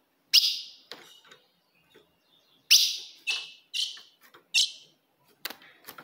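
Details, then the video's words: Female ultramarine grosbeak calling to provoke a male: loud, bright chips with fading tails, a lone note and then a run of four spaced about half a second apart, with soft clicks between. "se o seu azulão não segura fogo de fêmea Esse é o vídeo"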